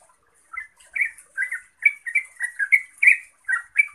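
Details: Yellow-vented bulbul singing in rapid, continuous bursts meant to make other bulbuls answer and sing: bubbly, liquid two- and three-note phrases tumbling one after another with short gaps, with a faint high hiss-like chatter above.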